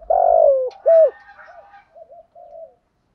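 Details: Spotted dove decoy used for luring and training doves, 'thổ' voice: a long hoarse falling coo and a short loud coo, then fading soft gurgling notes.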